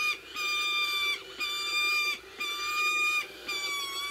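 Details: Peregrine falcons at an eyrie in the Ox Mountains, Co. Sligo, Ireland, on 25 May 2016 in the late evening, while feeding three-week-old chicks, give drawn-out, harsh, nasal wails about once a second over steady background noise.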